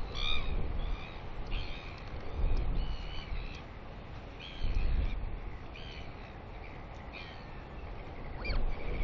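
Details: Royal albatross chick in New Zealand, early morning of 29 July 2020, greeting its arriving mother for a feed with excited squealing: clear, nasal, harmonic squeal bursts in clustered runs, backed by soft wind rumble.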